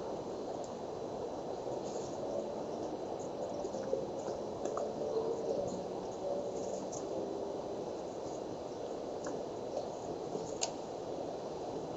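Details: Steady broadband hiss with faint liquid, squishy ticks and a few soft clicks; no clear animal voice.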